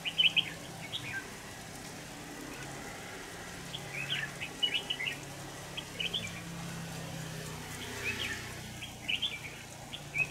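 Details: Red-whiskered bulbul recorded while trapping with a decoy on 25 November 2018, giving repeated short, bright, warbling phrases every second or two over a faint low hum and hiss.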